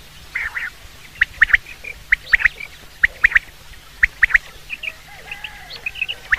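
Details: Fainter common quail call for hunting: quick sharp triple notes spaced about a second apart, with scattered softer chirps and a low hiss behind.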